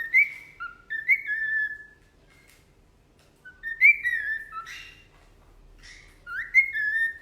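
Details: Pet parrot whistling: clear tonal notes near the upper-middle range that slide and bend, given in two short bursts separated by a quiet pause, with a fainter rising whistle at the end.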